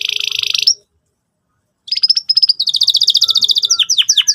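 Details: Canary singing as a training lure for young canaries learning to sing. A dense high trill breaks off into a second of silence, then choppy chirps lead into a rapid, pulsing trill ending in sharp, falling notes.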